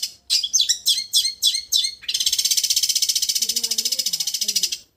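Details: Long-tailed shrike singing in the raja getar (king of trills) style, used as a tutor recording: five sharp, chirpy descending notes, then a long, rapid, buzzy trill lasting about three seconds, with a faint low hum behind.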